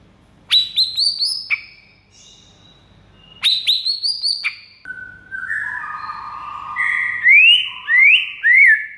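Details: White-rumped shama master song to prompt other shamas to answer: two bursts of sharp high stepped whistles, then a lower warbling phrase and three bright rising slurred whistles at the end.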